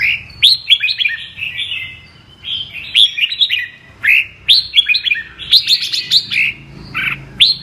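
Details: A 'Mơ' red-whiskered bulbul delivers double-voice ('giọng kép') song. Fast, loud runs of clear whistled and slurred notes repeat in phrases about every second or two. A faint low hum is heard behind.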